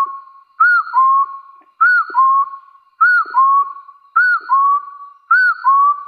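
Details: A wild hill partridge's rival-challenge call: five two-part phrases about every 1.2 seconds, each a brief arched whistle then a lower, longer whistle rising gradually, clean with no background noise.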